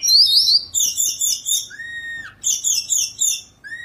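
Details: Sunda robin in a cage, perched still and singing steadily. A fast string of high, trilled chirps is broken by a pure, level whistle that slides down near the middle and returns briefly at the end.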